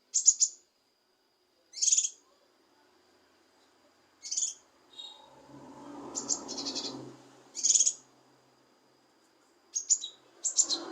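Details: Kinoi leafbird song for provoking a quiet kinoi to sing: very high buzzy bursts separated by pauses of one to two seconds, with a low rumbling noise in the middle.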